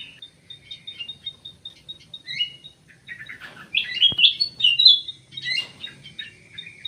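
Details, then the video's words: Common green magpie wearing an anklet in an aviary, starting with soft high repeated ticking notes, then a burst of loud varied chirps and whistles, with a single click midway. "CUCAK HIJAU PAKAI ANTING"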